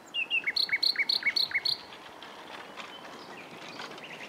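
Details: Nightingale perched in shrubland on 27 April 2021, one of several singing there in spring; brief slurred notes lead into a rapid, evenly repeated string of bright doubled chirps, then softer faraway birdsong.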